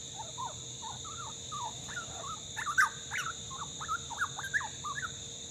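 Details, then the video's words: Young grey butcherbird, a fledgling from a family in Australia, chatting: a long run of short, varied, warbling and slurred notes rising and falling in pitch, with a steady electrical hum behind. "Grey Butcherbird Fledgling Chat"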